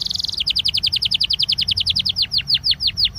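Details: Belgian canary song for warming up canaries: a brief fast buzz, then an even run of downward-slurred chirps, about eight per second, slowing slightly toward the end.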